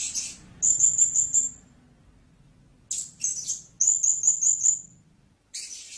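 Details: Blue-crowned hanging parrot producing high-pitched stuttering trills, rapid pulsed notes in bursts of four or five, with a pause between phrases and a brief hissy note at the end.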